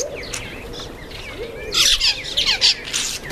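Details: Common myna at a feeding table giving harsh, noisy squawks in a loud burst midway, after softer whistled chirps and a low swooping note, with a steady low background hum.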